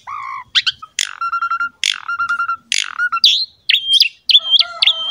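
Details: Asian pied starling in energetic masteran song meant to prompt young, lazy or wild starlings to sing: harsh buzzy bursts alternate with pulsed whistled notes and clear rising whistles, a varied loud phrase sequence.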